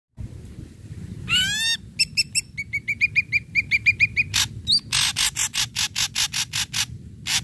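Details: Ashy Drongo in full song, meant to stimulate other drongos to sing: a rising, harmonic whistled sweep, then a fast run of clipped ringing notes, then a string of harsh broadband rasps repeated about once per second.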